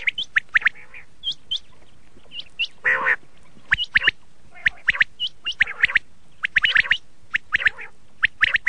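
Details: Red-shade common quail (laal batir) calling in scattered bursts: thin rising chirps and brief nasal squawks, with one longer rasping note near the middle and a busier cluster at the end.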